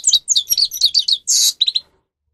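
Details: Grey-crowned goldfinch singing, a recording meant for training captive birds: a quick string of bright, high twittering notes, then a harsh buzzy burst and a few final chirps.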